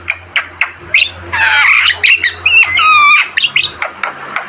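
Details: Javan myna tutor song: short clicking notes, then a harsh, rattling burst followed by clear, slurred whistles that slide down, and a few closing chips.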